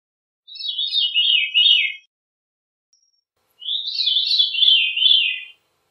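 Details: Veery giving two ethereal, downward-spiralling phrases, each lasting about one and a half seconds, separated by a pause; no other sounds.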